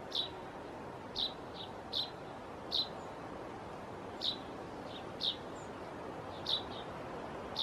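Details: Common chaffinch fledgling. Short, sharp, high chirps are repeated roughly once a second, some with a fainter echo-like note just after, over a soft steady background hiss.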